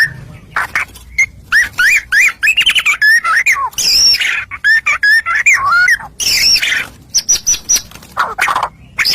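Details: White-rumped shama singing as a lure to make rival shamas answer; a dense, varied song of whistled slurs, chatters and harsh squawky notes with few pauses.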